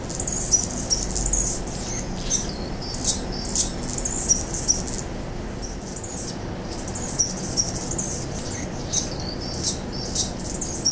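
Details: An Anna's hummingbird, a mature male, has chased off all other males and held his territory for four weeks in mid-August 2009. He sings long runs of high, grating, buzzy phrases with sharp squeaky accents over a steady low hum.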